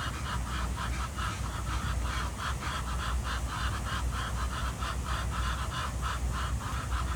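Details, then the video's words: Ducks on the water at Jardin aux Canards in Monaco, morning: a long, rhythmic chain of clipped nasal quacks, roughly two or three per second, set against soft water ambience and low-pitched background rumble. "Relaxing Duck Sounds"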